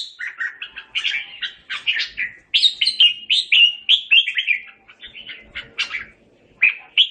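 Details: Red-whiskered bulbul singing to call its flock: quick runs of bright, warbling whistled notes rising and falling, some sharp upslurred phrases, in bursts with short pauses.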